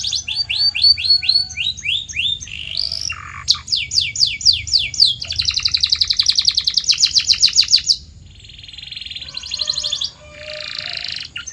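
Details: Training song of a canary meant to stimulate other canaries to sing: opens with repeated downslurred whistles, then fast trills and rattling notes, a short pause, and a final buzzy roll.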